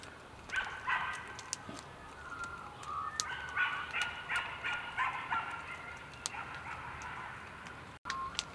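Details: Gang-gang cockatoos on the slopes of Mount Majura, Canberra, Australia, 19 February 2017: a run of short, rasping, creaky notes, closely repeated and irregular, some overlapping, over a steady faint background hiss.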